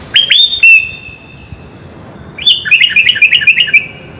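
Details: Sooty-headed bulbul, full 'isian' song for making birds sing: opening rising whistles and a drawn-out whistle, a pause, then a fast run of about eight bright chirping notes.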